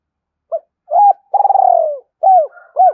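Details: Spotted dove coos meant to provoke a rival: a brief soft opening note, an arched hook, a long vibrating downslurred purr, then two more curved hooked notes, heard against silence.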